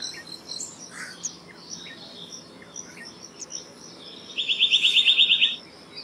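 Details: Faint scattered bird chips, then a black-naped monarch delivers one fast, steady series of about ten clear ringing notes near the end.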